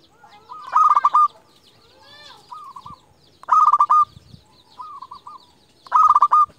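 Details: Zebra dove, local type, a lure bird for luring and angering rivals: three loud rapid cooing phrases alternate with quieter, farther coo phrases from another dove, about every two and a half seconds.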